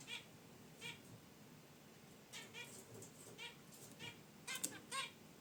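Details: Pet zebra finches in their cage by a wicker basket nest trade steady nasal honking chirps, roughly one every second, growing denser and louder near the end.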